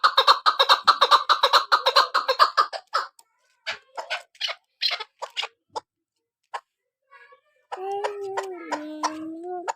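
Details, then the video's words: Female hunting-decoy Chukar partridge: about three seconds of rapid, evenly spaced clucking notes, then scattered single chucks and a pause, ending with a drawn-out lower tonal sound mixed with sharp clicks. "Shikari Chakor sound.Keklik sesi Sound.Shikari madi awaz.Keklik sesi"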